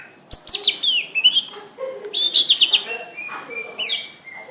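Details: Greater green leafbird in lively song, rapid high descending sweeps and chattering notes in bursts, followed by a held whistle and another sharp downward sweep.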